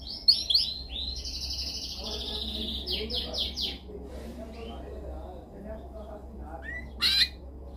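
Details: Canary training song, dominant style: a brief burst of quick high rolling notes and sweeps that fades into quiet, followed later by a short loud high note, with low background hum throughout.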